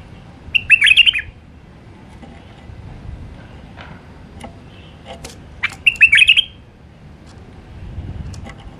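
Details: Two matching warbled phrases from a wild White-eared bulbul in the Alwazi style, about five seconds apart. Each is a quick tumbling run of liquid whistles. Scattered faint ticks fill the gaps.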